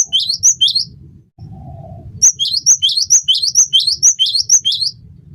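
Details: Gelatik batu, the cinereous tit, in vigorous song for training and luring birds: two quick high-to-low whistled pairs, a brief pause with a faint low tone, then a long even run of about ten two-note phrases.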